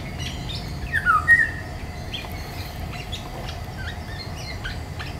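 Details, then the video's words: Eurasian golden oriole in woodland in May 2021 giving one brief, mellow, fluted phrase that dips and lifts, with faint chirps of other birds and a steady low background hum. "Il canto del rigogolo (Oriolus oriolus) nei boschi"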